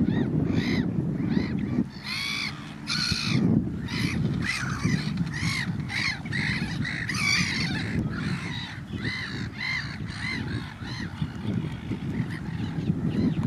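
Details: A young pied avocet at Benthuizerplas gives loud, clipped, slightly harsh notes in quick series, about two or three a second, over a steady roar of wind.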